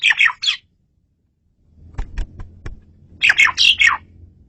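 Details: Asian pied starling singing loudly and clearly for luring birds: harsh, squawky descending notes in a quick triple, a pause with faint clicks and rumble, then a burst of four or five rasping falling calls.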